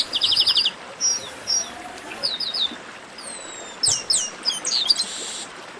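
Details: Chestnut-capped blackbird, called garibaldi, warming up in esquenta style: a quick trill of stacked chirps, then scattered whistled slurs and down-sweeping notes ending in a buzzy burst.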